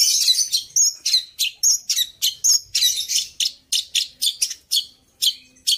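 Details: Long-tailed shrike song with fills copied from other birds, a run of sharp, high chirps and short whistled notes repeated about three to four times per second at an uneven pace.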